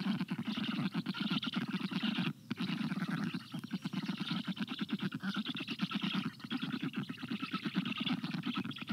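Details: At an Estonian black stork nest at midday on 26 June 2022, an adult feeds frogs to the chicks; steady, dense, rasping pulsed calls run continuously, with a few brief pauses, recorded by a live nest camera.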